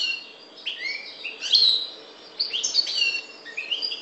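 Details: European goldfinch, parva race from the Maghreb, giving bright upslurred whistles and quick twittering phrases in two short bursts separated by a brief pause.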